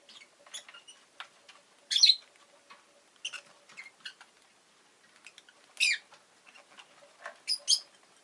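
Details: Pet rosy-faced lovebird chirping indoors: sharp, shrill, buzzy chirps come in scattered bursts, about four loud ones over eight seconds, with soft clicking and chattering between them.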